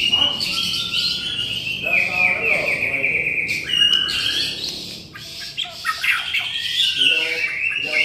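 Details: White-rumped shama in energetic gacor song: long sustained whistled notes mixed with quick trills, rattles and slurred phrases, delivered almost without pause.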